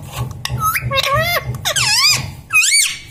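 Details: Talking pet parrot, said to say mummy, papa, mithu and radhe radhe, gives four quick, high-pitched, bending syllables in close succession, squeaky and nasal, over a faint pulsing background hum.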